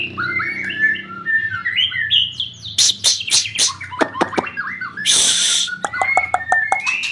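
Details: Varied, rich song of a white-rumped shama: stepped whistled notes climbing higher, then sharp clicks and rasping bursts, a harsh noisy blast, and clear repeated whistles at the close, over a faint low hum.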